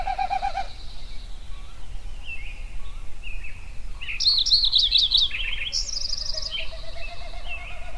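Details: At sunrise in Yellowstone, songbirds give a brief trill, sparse mid-pitched chirps, then a bright rapid run of high notes and a quick buzzy trill over a low background rumble.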